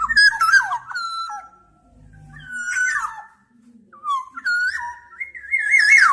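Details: Liquid whistled phrases of a black-naped oriole: quick slurred notes, held fluty tones and a final rising-falling flourish, repeated in several bursts with short pauses between.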